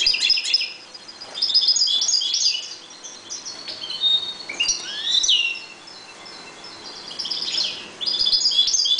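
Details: Breeding European goldfinches in a 1.20 m cage pour out fast jangling twitters in three loud bursts, broken by quieter gaps with scattered single chirps.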